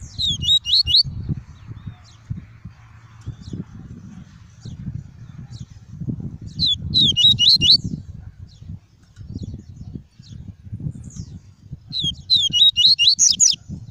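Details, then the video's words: Caged double-collared seedeater (papa-capim) singing the pure 'tuí tuí' style of song, played to warm up caged birds and teach young ones. The song comes in three bursts of rapid, high, twittering notes about six seconds apart, with low thumping and rustling in between. "PAPA CAPIM CANTANDO MUITO! TUÍ TUÍ PURO"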